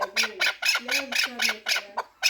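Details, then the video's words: Four-year-old Pamir chukar partridge, a fighting and hunting bird, giving short harsh chucking notes about three per second, with a low voice faintly underneath. "Кабки Помир"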